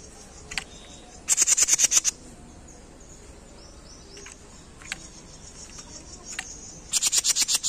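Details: Jenggot bird singing in a masteran training recording: short bursts of about eight rapid, very high, shrill repeated notes, with faint scattered chips between bursts over a steady hiss.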